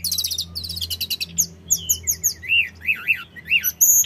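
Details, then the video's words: Sooty-headed bulbul of the mountains, singing continuously to prompt untrained bulbuls to respond: a fast high chattering trill, then spaced sharp chirps and looping whistled notes that rise and fall, ending in bright squeaks. "Suara tledekan gunung full gacor‼️100% bikin tledekan bahan cepat nyaut"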